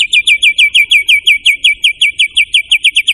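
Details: White-rumped shama, the murai batu, in persistent gacor song: a fast, steady train of sharp, downslurred high chips repeated about three times per second, loud and clean against a quiet background.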